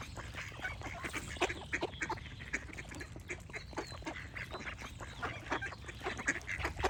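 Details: A crowded flock of ducks gives rapid, harsh quacks that tumble over one another, while small birds chirp throughout against a low rumbling backdrop.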